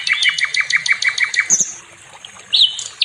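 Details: Nightingale song used for training other songbirds: a quick series of about ten clipped, whistled notes, then a thin high flourish, a short gap and a loud rising whistled phrase.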